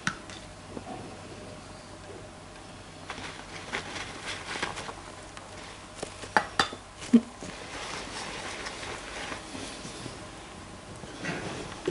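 Indoor clatter and tapping, with scattered knocks and a low room hiss, and no clear animal voice.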